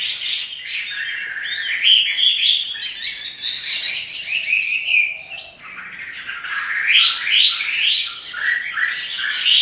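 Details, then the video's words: Chinese hwamei, a kept songbird, singing "gacor" while dancing: a rich, continuous run of loud whistled phrases, sliding and rising notes between mid and high pitch, with a short pause midway before a new burst of rapid rising whistles. "Burung wambi (hwamei) gacor menari"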